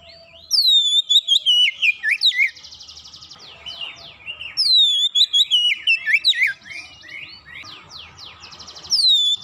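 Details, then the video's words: Oriental magpie-robin (kacer) in fast 'gacor' song as a lure for a silent bird: two loud whistled phrases, each starting high and stepping lower through rapid slurs, separated by a softer buzzy rasping trill, then a third phrase begins. "sekali pancing Kacer macet bunyi cepat gacor"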